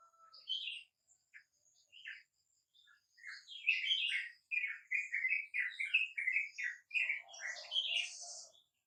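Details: Wild sooty-headed bulbuls at dawn answering a lure bird, flying straight in and joining its call: a busy run of short bubbly, warbling notes, many overlapping phrases, some higher chirps.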